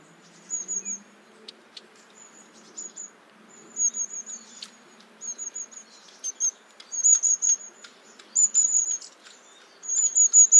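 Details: Long-tailed tit giving thin, very high-pitched 'see-see-see' notes, strung into short level runs and repeated irregularly, growing louder toward the end, with faint clicks and a soft low hum behind.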